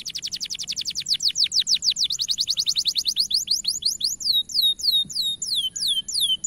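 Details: Canary in a training recording of powerful, long song: a very fast high trill of repeated downward-sweeping notes, slowing into spaced curling whistles near the end.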